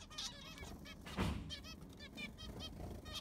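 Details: Aviary-housed zebra finches after a clean with fresh sand: clear nasal honking beeps with strong harmonics, several per second, broken by one loud knock.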